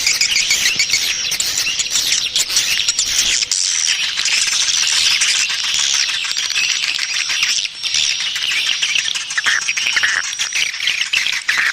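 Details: Lure call for attracting swiftlets, a continuous flock-like chorus of shrill chirps and squeaky twitters over a faint constant high tone, unbroken from start to end.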